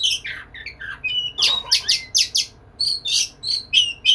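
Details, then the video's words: Singing hard to court a female, an Oriental magpie-robin (kacer) mixes descending whistled notes with quick, evenly spaced chirps, about three per second in the second half, with a short harsh note near the middle. "Burung Kacer gacor merayu betina"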